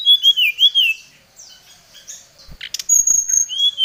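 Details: Brown-chested jungle flycatcher luring and challenging a rival: wavering whistled notes sliding down, a softer interlude of slurred calls, then a long high thin whistle and a final dipping note, with clicks and a thump midway.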